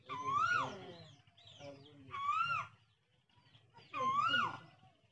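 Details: Asian koel in a village giving three loud rising whistled notes, each swelling and falling away at the end, spaced about two seconds apart, over a faint low rumble.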